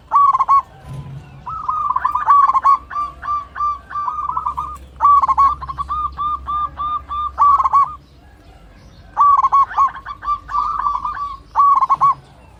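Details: Local zebra dove, a strong singer with big voice and long breath, calling a rival as a lure for quiet birds; repeated phrases of quick, even cooing notes, several bouts with short silent breaks.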